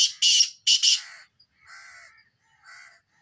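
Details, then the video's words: A black francolin gives three loud, harsh, rasping notes in quick succession, followed by two softer, lower, drawn-out calls about a second apart. "kale titar ki mast awaz"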